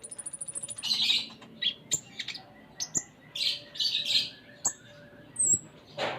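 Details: Konin (kolibri ninja) in full-isian song, opening with a rapid stuttering trill, then mixed high chirps, buzzy notes and a thin whistle.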